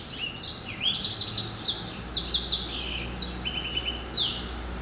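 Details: Caged hybrid finch (yellow-eyed canary × timbrado), hatched in late 2012, pours out continuous high trills, sliding whistles and rolled notes through the whole recording.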